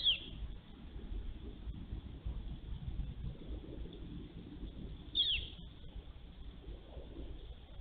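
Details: Female bald eagle at a live-camera nest on 23 March 2023, calling to the male during a nest changeover: two brief, high, squealing notes about five seconds apart over a steady low rumble of background noise.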